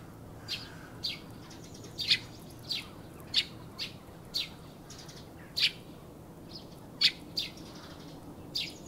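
A Eurasian tree sparrow gives a run of about a dozen short, dry chirps at an uneven pace, roughly every half second, over a faint low hum.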